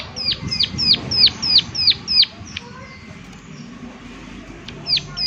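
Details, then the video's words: Eight fast, high downslurred clicks from a prinia in 'klik klik' style, then a quiet stretch with faint distant chirps before one more sharp click closes. "Prenjak Klik Klik Gacor Suara Alam Dan Isian || Prenjak Klik Klik Pasti Nyaut"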